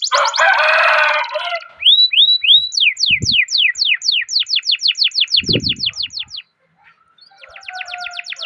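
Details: Canary song meant to prompt other canaries: a harsh buzzy burst, then rising whistled slurs and a long run of quick descending chirps, a pause, then more chirps.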